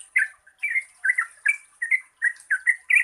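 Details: Merbah cerukcuk, or yellow-vented bulbul, singing short, liquid, chortling phrases about three a second, played as a lure for birds that rarely sing; a thin high hiss runs throughout.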